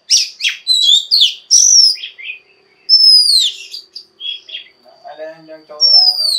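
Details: Female Oriental magpie-robin singing to stimulate males to sing: loud, clear whistled notes and sweeping slurs, high and varied, in bursts with short pauses; a softer, lower buzzy chatter enters near the end.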